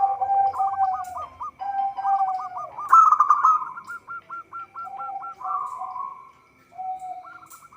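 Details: Local zebra dove in strong song for use as a trapping lure. Long runs of quick hooked cooing notes repeat nearly four times a second around a loud mid-clip burst, with a lower second voice overlapping.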